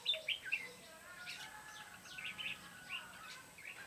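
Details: Red-whiskered bulbul song at a trapping site, 14 July 2016: bright, clipped whistled phrases at the start, then softer scattered chirps and warbles from more than one bird over faint background hiss.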